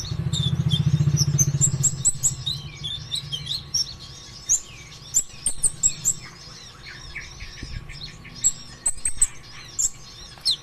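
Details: Lure song of a sunbird, locally konin ijoan or kolibri ninja, to stimulate other birds to sing. Rapid high twittering and sharp chirps; a low rumbling noise is heard at the start.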